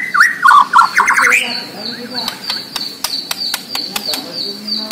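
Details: Borneo white-rumped shama giving a fast burst of whistled, warbling notes, followed by a steady series of clicks alongside a repeated high thin tone.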